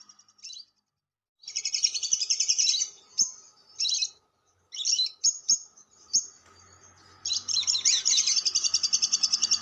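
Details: Long lovebird chatter (ngekek panjang) used as a lure: shrill buzzy bursts and sharp squeaks broken by brief gaps, ending in an unbroken run of fast, grating high notes lasting over two seconds.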